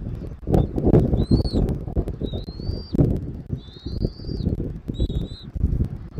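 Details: Southwest Florida bald eagle on a live camera, 13 January 2024, early afternoon, giving four or five thin, high whistled calls, some short and some drawn out and rising, amid loud low wind buffeting.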